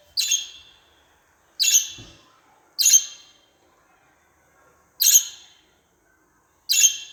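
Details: Budgerigar calling: five harsh, buzzy squawks, each a short burst that fades out, spaced one to two seconds apart, with silence between them.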